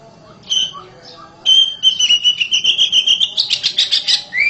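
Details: House-kept oriental magpie-robin singing loudly: after some soft notes, a long, fast, ringing trill of repeated notes that grows more scratchy and ends with a rising whistle. Low background murmur is present.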